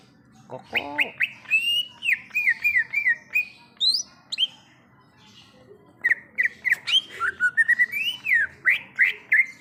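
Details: Greater green leafbird (cucak ijo), wild, in forest: a lively run of slurred whistled notes, many rising or falling, repeated about three per second. A brief low buzzy phrase comes early, and a short pause falls midway.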